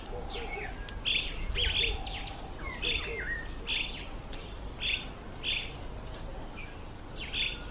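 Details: Northern red bishop, male and female, calling: short, sharp high chips repeated about every half second, with lower chattering notes and a low background rumble.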